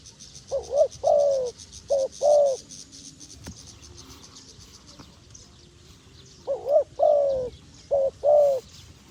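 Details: Wild dove cooing in two groups of four low, hollow notes: a short wavering coo, a longer drawn-out coo, then a similar pair. A steady high insect-like buzz continues in the background.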